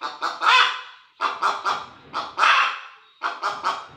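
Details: Hen cackling loudly, short harsh notes building to a longer strained squawk, then another run of short clipped notes, repeated in a steady rhythm.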